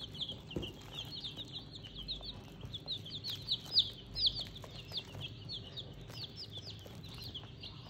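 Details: Chicks kept in a bucket give a steady stream of high, sharp peeps, many overlapping, some louder down-slurred notes standing out midway, with faint low hum and an occasional knock.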